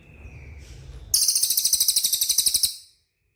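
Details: Cililin song used as a training recording to prompt caged birds to respond: a faint steady whistle, then a rapid, very high-pitched buzzy trill of evenly repeated pulses lasting about one and a half seconds.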